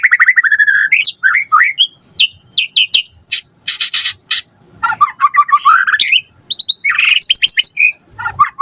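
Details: A white-rumped shama sings a lure song full of fill-in phrases to coax other shamas into answering; rapid upslurred whistles, rasping bursts and chattering trills follow each other with almost no pause.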